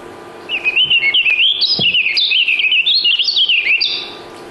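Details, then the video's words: A Warbling Vireo sings in Vermont in May, heard on a refuge: a fast, rambling run of burry, up-and-down warbled notes lasting about four seconds and ending on a higher note. It sings all day long. "The warbling vireo is well named. It warbles."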